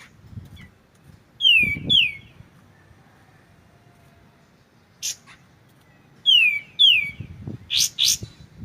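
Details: Clear kapas tembak (white-shouldered triller) song with pauses: two loud whistles gliding steeply downward, a long quiet spell, then a brief high burst and another pair of falling whistles followed by buzzy high notes, faint low rumble beneath.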